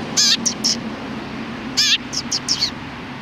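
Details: Chatter of sparrows, 31 October 2019, like a nonsensical conversation: two rich harmonic chirps, each followed by two or three short high notes, with a steady low background hum.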